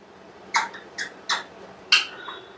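An Alexandrine parakeet imitates a short spoken phrase in four quick, buzzy, high-pitched syllables over about two seconds, in a quiet room.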